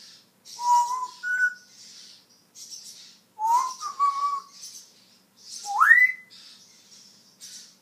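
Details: African grey parrot, a talking pet bird, whistles indoors. There are three separate bursts: paired steady tones, a two-note phrase, then a loud, sharply rising slurred whistle. Quiet pauses fall between them.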